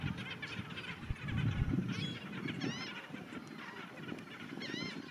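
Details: A group of Black Skimmers calling together: overlapping nasal, barking notes with arched, harmonic-rich shapes, given in quick irregular bursts over a steady low rumble.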